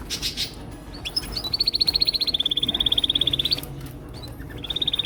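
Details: Male canaries in a chorus, each singing his own song to impress: a rolling trill of steady, rapidly repeated notes, a lower trill next, then short chirps and another trill starting near the end.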